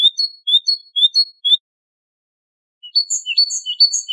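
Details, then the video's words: Great tit singing in the Wedani style on a tutoring recording for captive birds: four clear, high, rising notes repeated about every third of a second, then after a pause a faster series of sharp, ringing repeated phrases "تغريد طائر الحداد ( القرقف"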